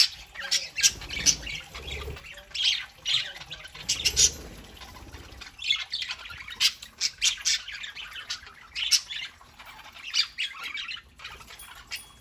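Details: Pet parakeets chattering on a Saturday morning: a lively string of shrill squawks and chirps in quick bursts, with scratchy warbling filling the gaps and a few low bumps early on.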